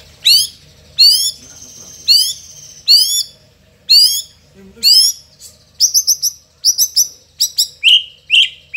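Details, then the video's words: White-rumped Shama, Indonesia, singing a song filled with imitations (isian) of sogon, cricket, cungkok and lovebird. Loud rising-and-falling whistled sweeps come about once a second, followed by shorter clipped high notes and two lower whistles. "Isian Istimewa | Sogon_Jangkrik_Cungkok_Lovebird | Shama Bird INDONESIA"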